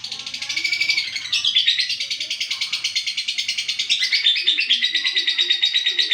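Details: Long-lasting song of an olive lovebird: harsh, rapid twittering with shifting squeaks and whistled flourishes, pulsing steadily throughout; faint low sounds behind.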